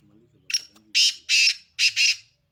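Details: Sindhi black francolin uttering one grating phrase of four very loud, buzzy, rasping notes, preceded by brief low human speech.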